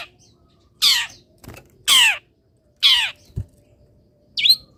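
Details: Caged long-tailed shrike after misting in the morning sun; three loud scratchy descending rasps about a second apart, a soft knock between them, and a brief higher note at the end.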